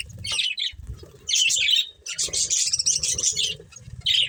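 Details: Breeding budgerigar pair squawking and warbling in loud grating bursts, over soft low rustling and fluttering sounds.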